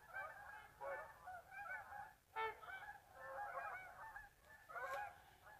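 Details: Geese leaving the marsh for afternoon feeding after a mid-day rest, a thick chorus of nasal honks from many birds, broken by a brief lull just past two seconds, then resuming in loud overlapping bursts.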